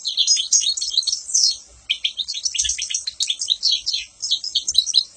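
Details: Bright, fast goldfinch song of clipped chirps and rolling twittered phrases, delivered in near-continuous bursts with brief gaps and a few soft low knocks.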